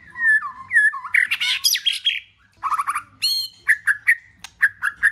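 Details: White-rumped shama in song, used to trigger a pet bird to sing: mellow swooping whistles, a dense buzzy warble, a series of stacked chattering notes, then repeated clear whistled chirps with sharp ticks.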